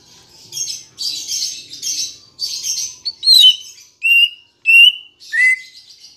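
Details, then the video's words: Green leafbird song used as a lure to prompt caged birds to sing: harsh, noisy chattering bursts, then clear whistled notes near-level or slightly rising, repeated roughly every half second to second. "Pancingan Cucak Ijo Biar Bunyi dan Cepat Gacor"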